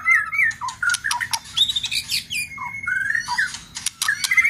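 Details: White-rumped shama giving a dense run of whistled phrases, long sustained whistles and sharp clicks, with rapid changes of pitch throughout.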